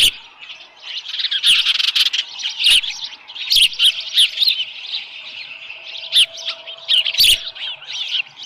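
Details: Osprey calling at the nest on a July 2018 morning at 7:10 AM, a live fish present; dense series of shrill, overlapping chirps runs throughout, with scattered sharp clicks.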